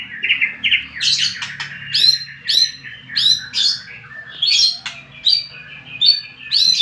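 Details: White-rumped shama song used as a lure to provoke rival birds: rapid series of high, bright whistled and chirped phrases, each note sweeping downward, repeated roughly every half second, with a faint low hum underneath.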